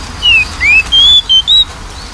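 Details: Lure recording of magpie-robin song for a bird reluctant to sing: five pure whistled notes in a row, a falling, a rising, then three level notes stepping higher, clear and loud over faint hum.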